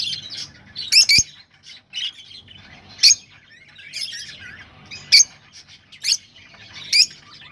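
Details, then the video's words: Rosella sounds used to encourage mating: short, sharp chip-and-squeak notes spaced about a second apart, with faint twittering between them. "تغريد طيور الروز ( حفز طيورك )"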